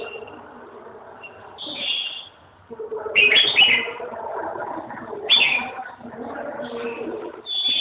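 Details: Red-whiskered bulbul song: short bright warbled phrases repeated every second or two, amid a steady low background chatter of other sounds.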